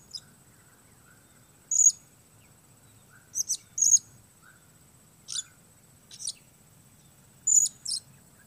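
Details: High, sharp squeaky notes from a blue-crowned hanging parrot used as a trapping lure, singly and in quick pairs, about seven bursts spaced irregularly over a quiet background.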